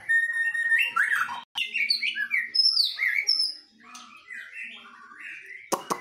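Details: White-rumped shamas in a singing duel, a bird from Medan against a forest bird from Nias: fast, varied whistled phrases with rising and falling slurs and sharp chips, briefly cut off midway, ending in a loud burst.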